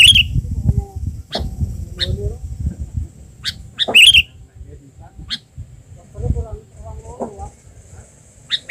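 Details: An albino sooty-headed bulbul being trained as a decoy in the wild, on a branch for the first time since moulting, gives sharp, bright chirps every few seconds, with low handling rumble and murmured voices underneath.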